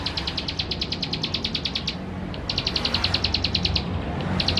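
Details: Male Plain Prinia (ciblek sawah), a vigorous singer, recorded on a Canon camera in West Java as a lure to provoke other birds; two long bursts of rapid, even, high ticking notes, about ten per second, separated by a short pause, over a low rumble.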